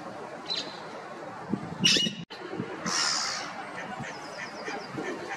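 Gulls give harsh, squawking cries in two bursts, then a few quick, thin, repeated notes near the end, over a low background hiss.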